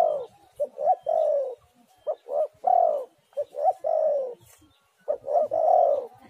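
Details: Spotted dove cooing as a lure: clipped double coos followed by a long, downslurred coo, three phrases separated by short pauses.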